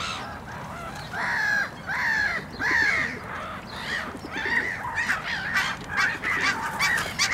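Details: Great black-backed gull eating, usually left in peace: a run of loud, hoarse, nasal calls with rising-falling strokes, about one every half second to second, over a steady rushing background.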